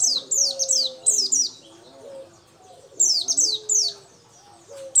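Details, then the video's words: Oriental white-eye of the local dakun variety in full, vigorous song: rapid bursts of high, descending, sweet notes, four or five per phrase with short pauses between, while doves coo faintly and low behind. "Pleci dakun lokal gacor"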